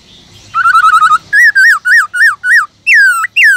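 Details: Wild-voice song (giọng rừng) of a caged Black-throated laughingthrush: a fast rattling trill, then a string of loud wavering whistled notes, ending with two long rich downslurred whistles.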